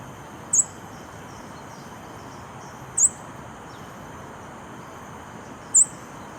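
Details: Scarlet-backed flowerpecker recorded in Singapore on 18 July 2021: three thin, very high, sharp ticking notes spaced about two and a half seconds apart, over a steady hiss of insects and distant traffic hum.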